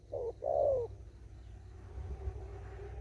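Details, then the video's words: Spotted dove from an upland field cooing thúc gù style: a single short note then a longer downward-sliding coo, followed by a faint hum and quiet background. "Cu Gáy. Đồng thúc gù."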